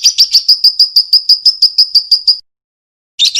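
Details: Lovebird call used as training audio to prompt a response: a rapid series of sharp, high chirps about three per second for over two seconds, a short silence, then another burst of chirps.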